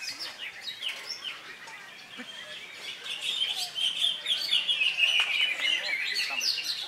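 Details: Greater green leafbird (Chloropsis sonnerati) singing at a bird-song contest, just after finishing its moult: a rapid, unbroken stream of bright, high, varied chirps and twittering phrases, with other birds and faint voices behind.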